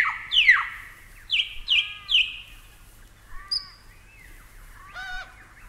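Superb lyrebird giving loud, ringing notes that sweep steeply downward, four in quick succession, followed by varied warbled and whistled phrases, against a faint low hum.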